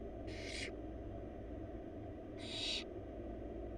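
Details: Barn owl chicks, four wild young in a nest box being fed rabbit by their mother: two breathy, rasping screeches about two seconds apart, each under half a second, against a continuous low hum.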